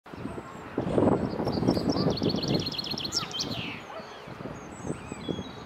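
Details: Common chaffinch singing cheerfully beside the Long Water on a windy day: one fast descending series of bright, sharp notes that ends in a quick flourish, over a steady low rumble of strong wind.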